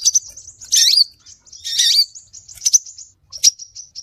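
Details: Scarlet minivet lure call: two loud, rough, chattering bursts about a second apart, then high, thin trills punctuated by sharp chirps.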